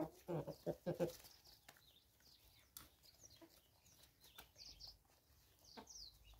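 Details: Free-range chickens in South Africa, 2024: a quick burst of five or six harsh, rough clucks packed into the first second, followed by faint, thin, high chirps of other small birds over quiet background.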